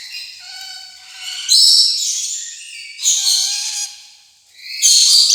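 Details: Rainbow lorikeet screeching in three loud, harsh bursts separated by softer thin whistled notes and a quiet gap.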